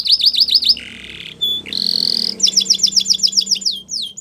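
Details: Spanish Timbrado canary delivering varied song phrases: quick hooked notes, a lower buzzy tour, a brief pure whistle, a sustained high trill, then more repeated descending notes.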